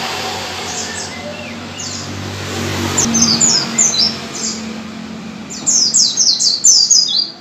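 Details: Forest-recorded white-eye song used to get caged birds singing: thin high twittering bursts against steady low background noise, quieter at first and then a loud run of rapid chirps near the end.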